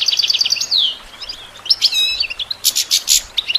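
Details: Goldfinch song used for songbird training: a quick repeated twitter, a descending slurred whistle, a fluttering trill, then buzzy, harsh rasping notes and sharp closing chirps.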